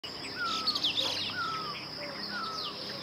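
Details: Streaked laughingthrush (Trochalopteron lineatum) in Uttarakhand gives three soft, slightly falling whistles about a second apart, with high chirps from other birds and a steady insect drone.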